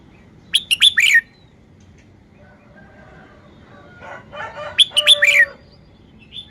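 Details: Red-whiskered bulbul in a cage showing its song style: two bursts of rapid whistled notes with a warbled ending, separated by a few seconds of softer chatter and rustling.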